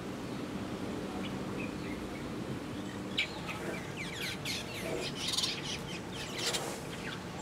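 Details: Lesser masked weavers at a summer nesting colony in a fever tree outside a reception building: soft scattered notes, then a rising burst of busy overlapping chattering and sizzling calls over steady background noise.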